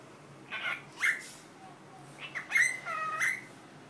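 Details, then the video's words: Cockatiel kept as a pet mimics Korean 'hello', producing clipped syllables and then a sliding, rising whistle-like phrase with rich harmonics, repeated twice within a few seconds, with little background noise. "왕관앵무 안녕이란 말을 배우다"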